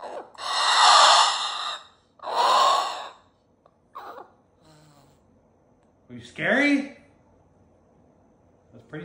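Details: Two long, loud raspy screams from a pet cockatoo doing its 'roar', each about a second long and separated by a short gap, followed by a quieter stretch and then a brief squawk mixed with a person's voice.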